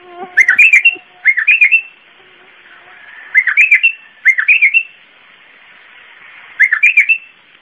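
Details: Iraqi bulbul, or white-eared bulbul, in zamli-style song: five short, bubbly phrases of four or five liquid, warbling notes each, arriving in irregular pairs every one to three seconds over soft background hiss.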